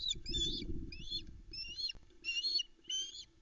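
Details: Female osprey calling loudly on a camera-watched nest at Loch Arkaig around 5am on 13 July 2019, awaiting food with young chicks present; a series of about six high, shrill whistled notes in quick succession over low rumbling background noise.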